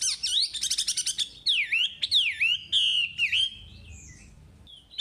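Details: Energetic Chinese hwamei song used as a training recording for caged birds: fast trilled bursts, then loud down-swept and rising whistles repeated in quick succession, fading out before a last sharp note.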